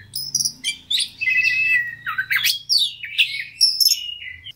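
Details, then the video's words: White-rumped shama fighter song used as a stimulus: bright whistled notes, a held tone and rasping chatter in short phrases, over a faint low hum in the background. "KACER NGOTOT PANCINGAN KACER CEPAT FIGHTER BONGKAR ISIAN"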